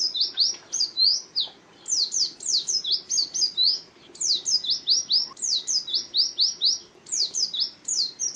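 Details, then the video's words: Contest-type white-eye (pleci) chattering at length: repeated fast bursts of piercing high slurred notes, each phrase a rapid jumble, broken by short pauses. "Birds Chirping Pleci Master Joss Chirps"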